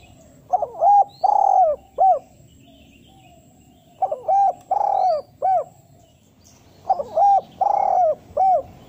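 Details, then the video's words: Spotted dove calling in a style used to attract females, recorded as a lure for wild doves: three evenly spaced phrases, each a short hiccup, two mellow hoots, a long rolling coo and a final falling note, over quiet background hiss. "Derkuku bahan belajar bunyi - cocok dijadikan pancingan tekukur pikat"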